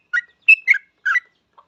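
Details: Yellow-vented bulbul in full, lively song, used as a lure to get other bulbuls singing quickly; four short, bright chattering notes in a quick burst, then a faint final note, with no other sounds.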